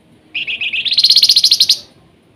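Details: Flamboyan in lively nyiul song: a string of rapid chirps accelerating into a high, rising, rattling trill lasting roughly one and a half seconds.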